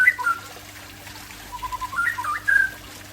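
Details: Soft whistled notes from an Aceh white-rumped shama, a brief phrase then a gap before a rising and falling string of clear tones; faint hum throughout.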